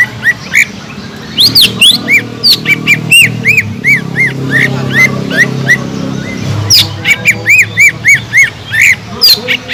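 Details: Gacor Sumatran leafbird (cucak ijo) singing to provoke other birds: long lively sequence of quick arched whistles and sharp high downslurs, coming in uneven bursts, with low background rumble.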